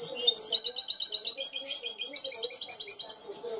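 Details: Goldfinch hybrid in clean-song style giving a continuous run of high, evenly spaced tinkling notes mixed with brief buzzy trills.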